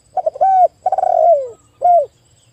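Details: A zebra dove in an afternoon recording used as therapy for stressed doves gives one full phrase: stuttered notes, a steady coo, a long trilled note sinking in pitch, then a short arched coo.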